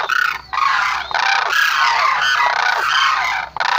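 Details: Sarus crane trumpeting almost without pause. The loud, harsh, harmonic calls run for several seconds with only brief breaks.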